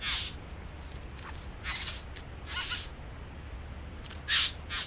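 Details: Harsh rasping notes from a bowerbird singing in a back yard where it nests, half a dozen hissing bursts with gaps of up to a second, against quiet background.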